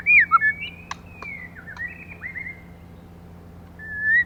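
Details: Female white-rumped shama, recorded to stimulate males, opens with loud looping whistles, then gives soft drawn-out slurred notes broken by clicks, and ends with a swelling rising whistle.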